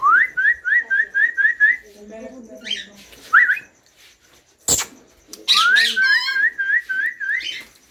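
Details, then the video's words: Feeding time for captive young ringneck parakeet chicks: quick chains of rising whistled chirps, a soft murmuring voice, a sharp click, then renewed chirping with a raspy squawk. "Green Ringneck Parrot Chicks Feed Time"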